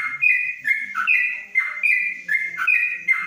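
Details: Trucuk, the yellow-vented bulbul, caged under a cover in Kebumen, pouring out continuous 'ropelan panjang' song: sweet liquid whistles that dip and rise in quick, uneven phrases with faint low background noise.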